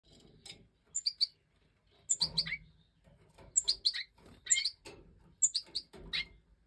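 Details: Captive-bred European goldfinch of the Major form, 2024 breeding season: five fledged chicks out of the nest, fed by the hen. Bursts of high, thin chirps in clusters of two to four, with short quiet gaps and faint low rustling.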